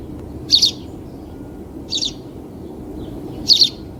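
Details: Three high, clipped double-note chirps from a house sparrow, each about 1.5 seconds apart; the middle one is softer. A low continuous hum runs underneath.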